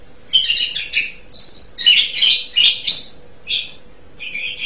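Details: Asian pied starling song: rapid chattering bursts, a clear rising whistle, then loud clustered harsh notes and a few short whistled phrases at the end.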